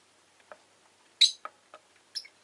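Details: Pet orange rosy-faced lovebird, in its final recording before its death, gives short sharp chirps, one loud shrill high squeak followed by several softer clipped chirps and another shrill note near the end. The background is quiet.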